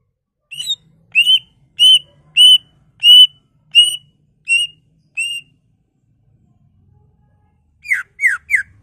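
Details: Greater green leafbird lure song with mimicked content, aimed at stimulating rival leafbirds: a regular string of eight bright whistled notes, about one every 0.6 seconds, then three quick descending slurs after a pause.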